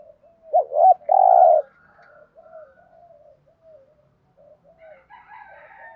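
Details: Single loud phrase from a spotted dove in the thúc gù cooing style, a quick double note running into a held mellow coo, followed by a run of soft, low, murmuring notes.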